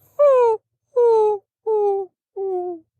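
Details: Greater Roadrunner, a ground cuckoo, giving four low, whining coos like a whimpering puppy or an ungreased windmill, all descending, each sliding downward and slightly lower than the last, about one every 0.7 seconds.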